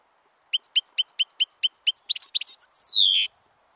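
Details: European goldfinch, dated 25 October 2013, singing a rapid series of about a dozen evenly spaced short chirps, then a few louder twittered notes ending in a long descending whistle.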